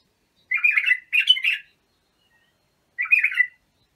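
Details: Bulbul training song: a pair of gurgling, fluty phrases, a pause of over a second, then a single matching phrase. Calm, quiet surroundings.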